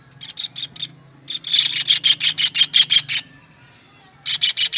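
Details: A kingfisher, from a master recording used to train songbirds, delivers a long run of loud buzzy rasps roughly three per second. The run is framed by softer note groups and a couple of faint high whistles.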